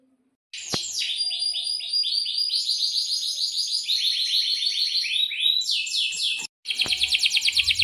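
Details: Canary singing a long unbroken roll suited to tutoring young canaries: a continuous run of quick down-slurred whistled notes lasting about six seconds, a short break, then a fast bright trill; a sharp click near the start.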